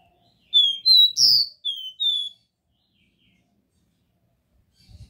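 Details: Copper seedeater in pure Dó Ré Mi song: a run of high, sweet whistles rising to a strong swept note, followed by two softer falling whistles, then quiet apart from a faint knock at the end.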